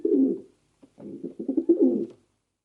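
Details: A pigeon's soft, throaty coo, then a quick series of pulsing notes that ends in a fuller, drawn-out coo.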